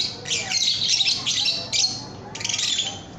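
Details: Lovebird song for training cage birds: a long, harsh, squawking chatter, a brief break, then another grating burst fading into softer twitters.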